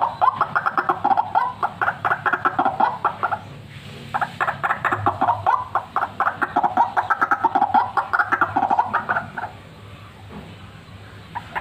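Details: Lure recording of a lively fighter white-breasted waterhen: quick bursts of harsh, croaking notes at a brisk regular pace, a short lull, then another long rapid series before tapering off.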